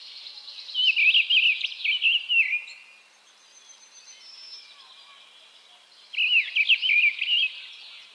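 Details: Mistle thrush singing two loud, fluty, warbled phrases, each about a second and a half long, separated by a pause of several seconds; faint high, thin notes of other birds in the background.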